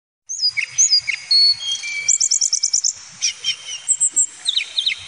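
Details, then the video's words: Male Hill Blue Flycatcher, known locally as tledekan gunung, singing a rich, high, rapid song of clear whistled slurs, sharp upward sweeps and quick chattering trills, with bursts of stuttering notes in the second half. "Suara Kicau Tledekan Gunung Jantan"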